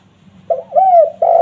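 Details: Spotted dove calling as lure bait for wild doves: a soft opening hoot, then a longer rising-and-falling coo, then another full coo cut off at the end.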